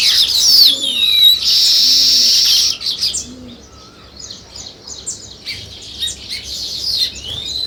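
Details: Weaver birds building a nest: swooping whistles and a loud sizzling buzz, then sparser chirps. Low cooing from another bird is heard several times.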